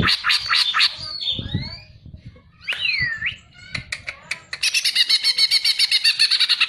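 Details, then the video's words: Greater green leafbird (cucak ijo) singing for a masteran tutor recording: quick sharp chips, then looping whistled slurs, then a fast, steady run of buzzy, rattling notes. "MASTERAN BURUNG CUCAK IJO"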